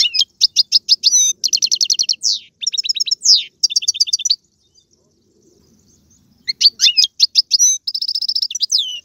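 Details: European goldfinch in Algerian tiwawati, galoubi and serfati song: bursts of rapid liquid twitters and rattling trills, then a two-second silence before the twittering resumes.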